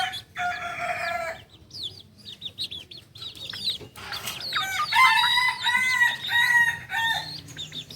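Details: Kukuak Balenggek, a singing chicken native to Solok known for its tiered crow at dawn. A short crow opens, then high bird chirps follow, then a strong, stepped crow with bright stacked harmonics builds before cutting off.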